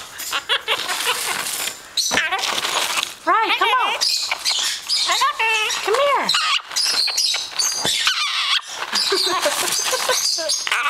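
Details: Female pet Hahn's macaw sitting in a cereal box she knocked over, tossing cereal bits; she chatters in human-like phrases, repeating greetings like hello and bursts of laughter, with squeaky calls from lovebirds and a Moluccan cockatoo behind.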